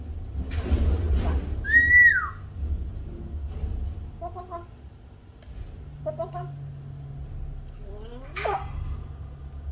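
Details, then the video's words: A pet male African grey parrot, described as talkative and naughty, gives a clear downslurred whistle, then a few short voiced, speech-like sounds and a rising and falling squawk near the end. A low room hum runs throughout. "African Grey Parrot Talking"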